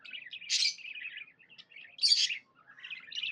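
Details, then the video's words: Pet budgie in a happy mood, giving soft warbling chatter punctuated by two loud raspy chirps about one and a half seconds apart, with quieter twittering between them. "Happy budgie chirping sounds"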